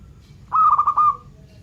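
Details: Zebra dove, a local perkutut, singing: a single cooing phrase of quick rolling staccato notes that ends in a longer sustained coo, on a steady mid pitch over faint low background hum.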